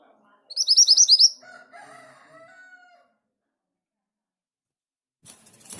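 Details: Orange minivet (sepah hutan, mantenan gunung) sings a quick run of about eight high, rising whistles, then lower, longer whistles from another bird follow, and a scraping noise comes near the end.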